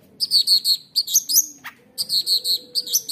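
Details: Bursts of bright, high chirping notes in quick groups of three or four, separated by short pauses. The singer is a long-tailed shrike, wild-caught when young, singing a showy 'roll tembak' song that rouses rival shrikes.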